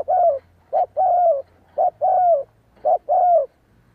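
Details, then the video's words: Spotted dove cooing all day for decoy training: four even pairs, each a clipped short coo followed by a fuller arched note, repeating about once a second in a steady rhythm. "Cu gáy kích bổi / chim cu gáy kích bổi gáy cả ngày /tiếng chim cu đất gáy kích bổi tập mồi hiệu quả"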